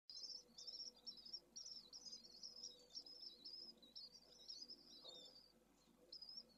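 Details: Pallid swift in Spain, 4 June 2022, on a nest camera: a long series of thin, high, wavering trilled chirps, nearly continuous for five seconds, over a steady electrical hum.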